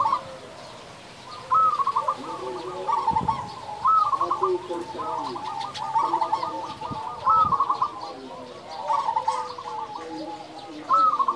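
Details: Local zebra dove with a big voice, singing actively, used as a lure to stir other doves: soft rolling coo phrases repeated every second or two, with quieter lower cooing behind and a few dull thumps.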